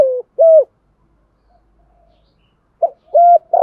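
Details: Spotted dove cooing, male and female voices used to train other doves: short low hollow coo notes in pairs, a pause of about two seconds, then another pair of coos.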